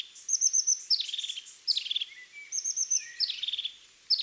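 European Crested Tit song: high, thin notes followed by bubbling, purring trills, verses repeated quickly with short gaps, giving a hurried feel.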